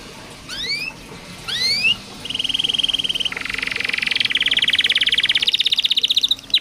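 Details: Training song for a canary that sings little: two loud rising whistled sweeps, then a steady buzzy trill that speeds into a long rapid rolling rattle, clear over a quiet background.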